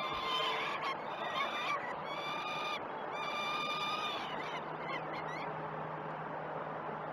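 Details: Peregrine falcon chicks at the Great Spirit Bluff nest during one of the first two feeds, morning of 12 June 2018, live nest camera: overlapping harsh, wailing screams with rich overtones, repeated rapidly, over a steady background hiss.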